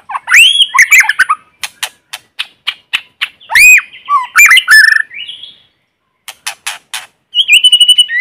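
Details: White-rumped shama singing in forest as a lure to provoke other birds, no background noise: loud arching whistles, harsh squawks and rapid clicks, a pause, then sharp ticks ending in a rapid, even whistled trill.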